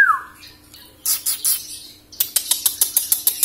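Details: Captive young greater green leafbird from Samarinda, just out of juvenile plumage and awaiting moult, opens with a falling whistle, then gives scratchy chattering bursts and a run of evenly spaced sharp clicking notes.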